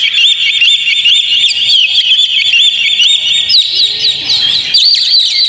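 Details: Lure song of an Oriental magpie-robin for a caged bird: a steady run of high, looping whistled notes, then sharper upslurred phrases repeated quickly in the second half.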